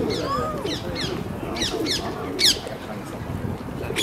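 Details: Friendly long-tailed parakeets (Psittacula longicauda) that play with tourists give short, harsh shrieks in quick irregular bursts over a low murmur of cooing and background chatter.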